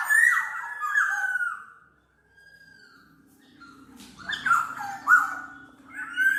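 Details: Black-naped oriole sound for tutoring songbirds and trapping lures: fluty falling whistles, a quiet stretch with a steady low hum, then a burst of harsh, slurred notes and clear whistles.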